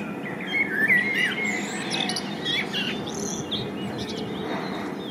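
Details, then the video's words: Springtime male common blackbird, filmed with a Panasonic LUMIX DMC-FZ1000, delivers a mellow warbled phrase followed by a burst of thin, high, scratchy twittering notes, then quieter fading whistles over steady background noise. "Samiec kosa i śpiew (Turdus merula) blackbird sings"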